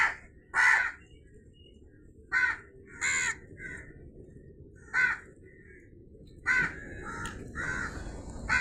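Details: Crow giving harsh, short caws in scattered bursts, some single and some in quick pairs, with quiet gaps between and faint background hiss.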